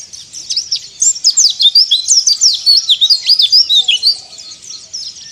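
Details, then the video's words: White-eye in ngalas song: a fast, unbroken stream of sharp, high, squeaky twitters, about three notes a second, delivered as therapy song to provoke other white-eyes. "PLECI DAKBAL NGALAS STANDART"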